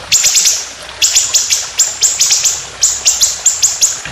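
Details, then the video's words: White-rumped shama, a competition songbird used as song-tutoring material, delivers fast runs of sharp, high, clipped notes, four or five at a time, separated by short gaps, with only a faint hiss behind. "Masteran Burung Lomba Tembakan Panjang Roll Speed"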